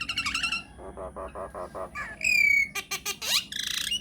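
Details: Myna lure song played to make other mynas answer. Rich harmonic whistles and a run of harsh pulsed notes lead into a long piercing whistle, sharp clicks and a rising squeal.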